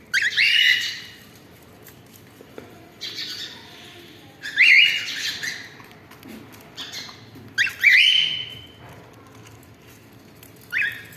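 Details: Cockatiel family giving a run of harsh, grating upslurred screeches at irregular intervals, some loud, some softer, with brief quiet stretches between calls.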